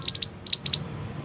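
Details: Lure call of a male scarlet-headed flowerpecker, meant to attract birds in forest; high sharp ticks, a fast triplet then a second group of three, very high and thin with a quiet hum underneath.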